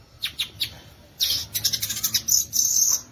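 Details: Dense, chattering song of a violaceous euphonia (gaturamo verdadeiro): a few high chips, then a rapid, continuous stream of bright, squeaky notes.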